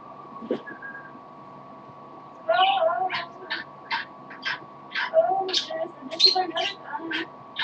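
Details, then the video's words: Pet parrot, tired, singing a little indoors: a faint whistle, then a run of short chirps and squawky notes, some low and scratchy, repeated about twice a second, over a steady electrical hum. "Poppy the parrot sings a little."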